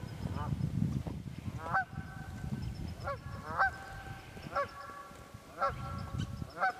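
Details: Wild geese honk in the Quehanna Wild Area, PA, 27 February 2018; around eight clear nasal honks spaced about a second apart, with low rumbling noise beneath.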